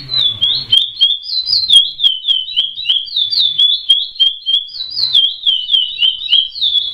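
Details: Chestnut-bellied seed finch (curió) delivering praia song: a loud, unbroken series of sweet whistled notes, each swooping up then down, repeated roughly three times a second in a rolling, regular phrase with a quiet background.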